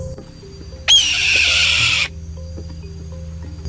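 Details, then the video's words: Red-tailed hawk scream, the sound often dubbed over eagles in films and television. It is a single loud, harsh, hoarse shriek lasting just over a second, with soft background music throughout. "Ito ang tunog ng red-tailed hawk."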